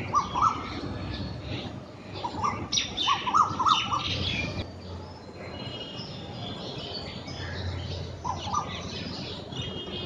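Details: Black drongo pair calling in early morning in Bangladesh to establish territory: bursts of whistled, slightly ringing notes and harsh squawky chatter early on, fading into steady outdoor background noise with a brief whistled phrase later.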